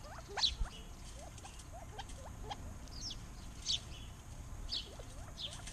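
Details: Arizona backyard birds singing, with scattered sharp high chirps and several quick rising whistled notes, loud chirps near the start and middle, over faint low background noise.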